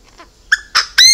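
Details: Chinese francolin kept as a decoy bird, giving three harsh, loud, harmonic call notes in quick succession. Each note is louder than the last, with faint softer sounds before them.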